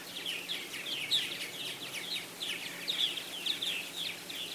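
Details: Many purple martins in a busy colony at aluminium houses and gourd racks in South Florida on 24 April 2012 chatter at once in rich, gurgling, chirping phrases that overlap without pause, over a faint low hum.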